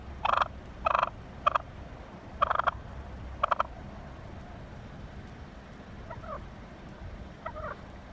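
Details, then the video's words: A wild turkey that chases a car gives loud, harsh honking squawks in short bursts about every second, then softer clucks, over a steady low background rumble. "Wild Turkey HONKING 🦃 Squaking Pecking"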